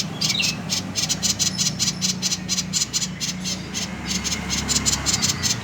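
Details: Common iora, 'konslet' call used to lure birds into singing: sustained fast train of harsh, high rattling pulses, nearly four a second, with a brief sharp note at the start and a low hum beneath.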